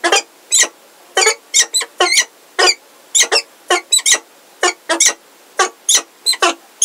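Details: Peregrine falcons in Heidelberg, the male Zephyr and a new unringed female, on 17 February 2023, give harsh, rasping calls, about twenty short bursts in seven seconds, at an uneven, excited pace.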